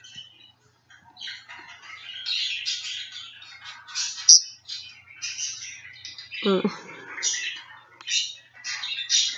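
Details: Two-year-old male pet budgie looking for his friends in a phone, giving a long stream of high, scratchy, chattering warbles and clicks, with a brief lower voice-like sound midway.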